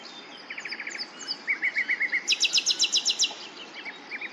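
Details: Common nightingale song with rapid repeated phrases: a fast trill of short notes, then a series of whistled chirps, then loud ringing notes repeated about five times per second, ending in scattered chirps.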